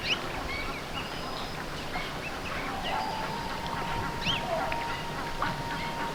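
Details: Grey Go-away-bird at Mana Pools National Park giving its distinctive nasal, drawn-out 'kweeeey' call amid a busy chorus of chirping birds, a steady hum and faint voices.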